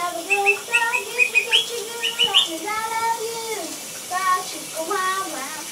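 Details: A blue pet monk parakeet whistles along to the Gitchi Gitchi Goo song from Phineas and Ferb: tuneful, voice-like phrases that rise and fall, with short bright chirps scattered between them.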